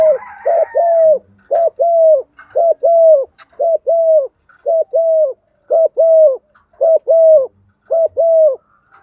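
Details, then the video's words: Female spotted dove giving a thúc gù coo series used to stir decoy birds: low, hoarse paired coos repeated in a steady rhythm, close to one note per second, with short gaps between pairs and a quiet background. "tiếng chim cu gáy MÁI thúc gù, tiếng chim cu gáy mái gáy gọi"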